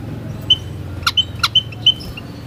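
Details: White-headed munia giving a few short, thin, high piping notes spaced through the clip, mixed with sharp broadband clicks.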